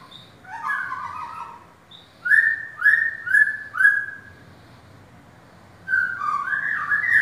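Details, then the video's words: Caged white-rumped shama on sale, mixing a warbled low phrase with four quick downward-sliding whistles in a row, then a rich burst of varied notes. "murai Batu balak"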